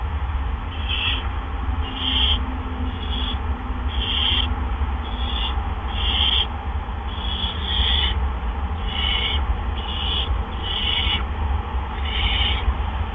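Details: Barn owls at a nest box on April 17, 2013, around 8 PM, as two adults deliver gophers one right after the other; short harsh hissing bursts repeat roughly once a second throughout, over a steady low hum.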